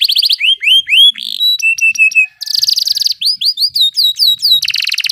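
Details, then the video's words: Canary song used as masteran tutor audio: clear whistled upsweeps, short flat tones and dense buzzy bursts alternating in quick, varied phrases. "Canary Ngeroll Emosi"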